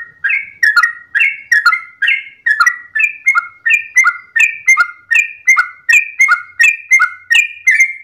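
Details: Sooty-headed bulbul singing at dawn in the long rapid ropel style. Liquid whistled two- and three-note phrases, each dropping in pitch, repeat almost twice a second without pause. Faint sharp ticks overlay the phrases.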